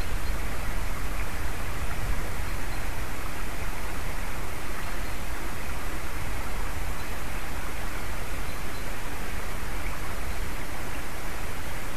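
Only a steady, broadband wind-like hiss is heard, with no animal calls.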